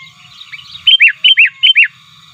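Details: Sooty-headed bulbul calling to challenge rivals, used for luring wild birds: soft warbling, then three loud paired notes, each a clear whistle followed by a down-slurred note.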